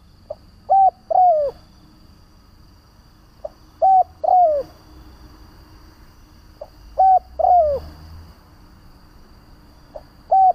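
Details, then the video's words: Spotted dove used as a trapping decoy, cooing to draw other doves: three full phrases roughly every three seconds, each a faint pip, a steady coo and a long downslurred coo, the next phrase just starting. "Tiếng Chim cu Mồi gáy gọi - Chim cu gáy kích bổi nhanh nổi hiệu quả"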